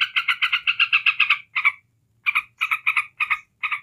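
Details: Yellow-vented bulbul chatter in the ngebren style, aimed at provoking rival bulbuls: a fast run of raspy notes, a half-second silence, then spaced single and paired notes.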